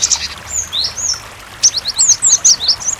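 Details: {'caption': 'Cinereous tit singing over water sounds, meant to draw replies from other tits. Drawn-out upslurred whistles open the clip, followed by a fast, clear series of about eight bright, down-slurred notes.'}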